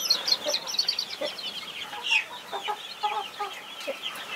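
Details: Mother hen protecting her 21 chicks: a busy chorus of thin, high, downslurred peeps from many chicks, with a few low, soft clucks mixed in underneath.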